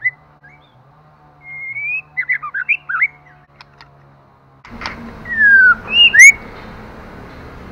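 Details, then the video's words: Female white-rumped shama stimulating the male, giving a soft sliding whistle, then a burst of short warbled notes, then louder falling and rising whistles against rising background hiss. "Choè lửa mái kích trống hay nhất"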